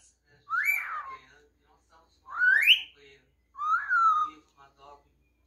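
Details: Pet cockatiel that sings and talks whistles three melodic notes: a falling slide, a long rising swoop, and a gently arched tone, each roughly half a second to a second long, with faint chirps between.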